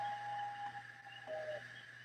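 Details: Common Loon, at least two birds vocalizing, recorded minutes west of Augusta, the state capital; a pure, held whistled note, then a shorter, lower tone after a pause, over a steady low hum.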